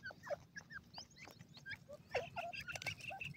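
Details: Several jungle bush quail feeding in a forest give soft, short chirps and twittering notes that overlap at an uneven pace over a faint background rustle.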